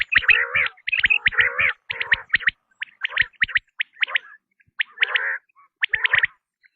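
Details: Batair or quail call, presented as a tested sound: scratchy chirping bursts, dense at first, then sparser, with short separate notes spaced by brief pauses, with no other sounds heard.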